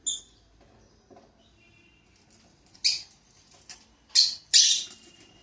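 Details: A pair of pet lovebirds beginning their day, giving loud, harsh shrieks after a quiet stretch with a faint chirp at the start, the last two screeches close together.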